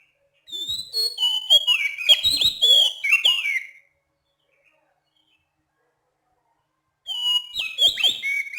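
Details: Oriental magpie-robin of the Sumatran type calling at night, clear and rhythmic: about three seconds of loud, varied whistled and chattering phrases, a three-second pause, then another melodic burst of whistles.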